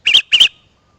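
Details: Sooty-headed bulbul used as a wild-bird lure, giving two quick, bright, slightly bubbly chirps in close succession, then silence.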